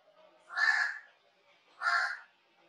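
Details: Crow giving two harsh, nasal caws about a second apart, each short and grating, with quiet surroundings.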